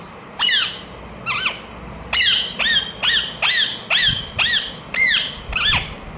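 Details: Ring-necked parakeet, a pet bird, chirping loudly: nine harsh, ringing squawks, each a quick rise then a fall in pitch. They repeat roughly every half second in a steady series.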